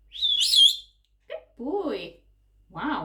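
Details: Pet Quaker parrot, eleven months old, vocalizing indoors: a high whistled note with a bent overtone, then two short lower word-like syllables and a rough closing burst.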